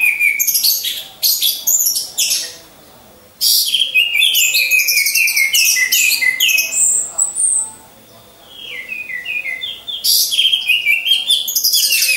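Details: Orange-headed thrush song from caged birds hung side by side for 'ngecas' training to build champion mentality: dense, high, rapid chattering and whistled phrases in long bursts, broken by short pauses near three and eight seconds.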